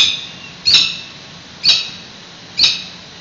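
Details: Peregrine falcons at a San Francisco nest during a nest exchange on 28 May 2017, heard on a live webcam: three harsh, high, raspy calls spaced about a second apart, with a faint room-like hum beneath.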